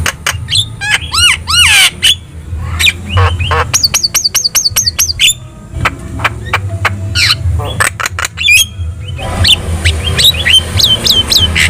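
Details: Javan myna in energetic song meant to prompt other birds to reply, with looping whistled slurs, wavering trills, clicks and grating bursts tumbling together. A constant low drone runs underneath.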